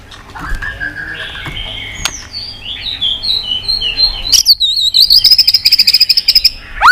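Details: Captive white-rumped shama stirred into fighting song, tail-flicking, delivering a long varied phrase of whistled notes from low to high, then a fast run of rapid repeated pulsed notes near the top, ending with a rising slurred whistle.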